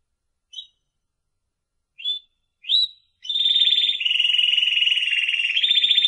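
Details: Spanish Timbrado canary, a captive songbird prized for its singing: three brief separate chirps, then a long, steady, metallic rolling trill that holds on a single pitch until the end.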